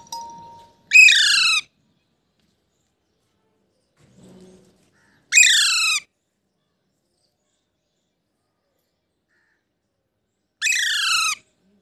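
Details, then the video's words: A pet parrot kept indoors gives three loud, harsh, rasping screeches, each about half a second long and several seconds apart. Between them there is near silence with a faint, brief low sound. "तोते की आवाज और इन्सान से बात। Cute Parrot talking."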